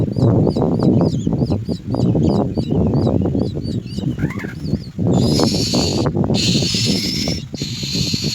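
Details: Common myna young, said to be very hungry, begging with rapid thin upslurred chirps several per second, then loud grating raspy calls held for one to two seconds, over steady heavy low-pitched rumbling noise.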